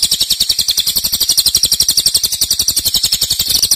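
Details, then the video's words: Short stretch of a cililin's loud 'nembak' song: a bright, high trill of quick, evenly spaced notes, roughly ten each second, without a break. "Cililin nembak keras dan Rafat durasi fanjang"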